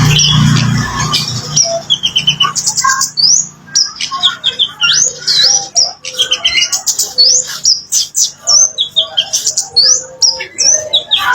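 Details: Kemade bird singing, played as a lure to prompt other birds to reply: a long, continuous medley of sharp high whistles, rising and falling slurs and rapid chips, with a brief low thump at the start.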